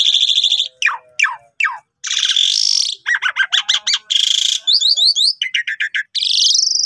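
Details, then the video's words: Varied, energetic Asian pied starling song, kept as a master recording for tutoring starlings: falling slurred notes, long buzzy rasping blocks, rapid stuttering clicks and repeated upward whistled strokes, ending in a drawn-out rising buzz. "Jalak Suren Gacor Cocok Buat Masteran Jalak Males Bunyi"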